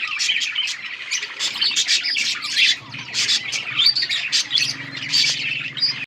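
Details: Budgerigars feeding chicks in a breeding group, heard as rapid, high, overlapping chirping and twittering over a faint steady low hum.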